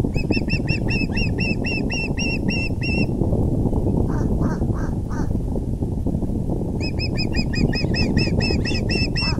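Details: Osprey at its nest on April 6, 2020, 6:30 pm EDT, as the male brings a big fish: rapid runs of sharp, repeated whistled chirps, about four a second, broken by a few lower, softer notes, over steady low rumbling background noise.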